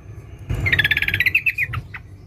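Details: Female sooty-headed bulbul calls to a male: a brief burst of fast, tightly packed twittering notes that slows into a few separate falling notes at the end.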